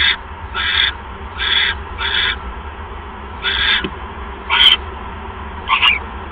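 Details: Owl nest, second mouse delivery at 6:33 PM, 1 January 2015: several rough, breathy hisses in quick succession, then sparser bursts with a couple of sharper, higher screeches and faint clicks.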